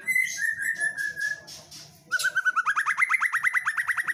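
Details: Energetic song of a female white-rumped shama: a few clear sliding whistles, a brief pause, then a quick burst of repeated upward-flicked notes, about four per second.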